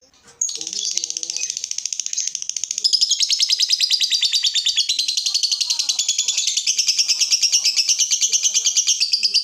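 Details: Lovebird in full, lively song, used as a training model for other lovebirds: a dense, rapid buzzy chatter of harsh high notes repeated several times a second, running continuously after a brief quiet start.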